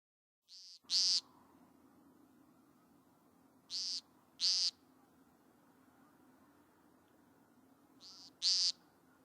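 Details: An American woodcock (Scolopax minor), a forest-dwelling shorebird, gives its short, buzzy nasal peent call in pairs a few seconds apart.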